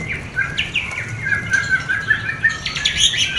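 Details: White-rumped shama mating call, played to excite breeding in a new pair; a quieter sequence of clear whistles and short upward flicks, ending in a high chattering flurry over low background rumble.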